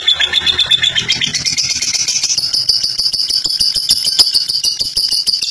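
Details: Fighter lovebird, kept caged, delivering its long ngekek song: a dense, rapid run of high chattering notes with a steady bright band that climbs and holds high, repeated pulses throughout.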